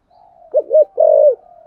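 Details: Spotted dove cooing in the thổ sấm voice style, a full song with two-note ending: two short rounded coos followed by one long, low, steady coo that trails off softly.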